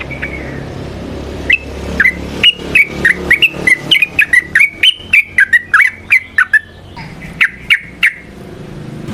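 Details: Yellow-vented bulbul (trucukan) in lively 'ropel panjang' song used to lure other trucukan: a long run of short, sharp whistled notes, each slurring around the same pitch, spaced about every quarter second, over a low background hum.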